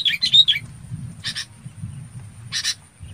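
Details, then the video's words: Red-whiskered bulbul calling its flock: a quick warbled whistle phrase at the start, then two short harsh rasping bursts about a second apart, over a faint low rumble. "Tiếng Chào Mào Bông gọi bầy"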